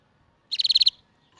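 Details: Canary giving a short, bright trill: about seven rapid, evenly spaced high notes packed into under half a second, then silence against a quiet background.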